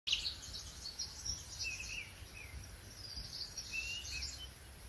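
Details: Wild birds singing in a pine forest in spring, a calm natural setting; faint high chirps and short twittering phrases, with a brief lower warbled trill midway, over a steady soft background hiss and low rumble.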